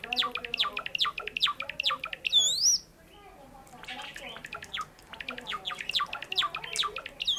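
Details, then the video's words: Sakura Java sparrow kept as a pet, singing: dense bursts of rapid, high, falling chirps. A soaring whistled arc breaks them up, then a brief quiet pause, then the chattering resumes and builds again. "さえずり文鳥動画 Java sparrow chirping"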